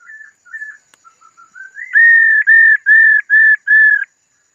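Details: Female laughingthrush, calling to arouse males, opens with soft short whistles and a rising slur, then delivers five strong, level whistled notes at a steady pace.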